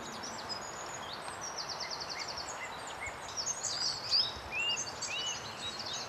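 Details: A flock of Lesser Redpolls at a feeding station, Cromwell Bottom Nature Reserve, one possibly a Mealy Redpoll, chattering over one another in quick, dry, high buzzy notes with a few rising twangy calls, over a steady hiss.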